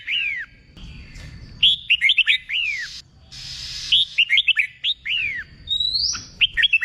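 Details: Red-whiskered bulbul song for training contest singers: repeated phrases of sharp, downward-slurring whistles, interrupted by a burst of hissing noise, with a rising whistle near the end.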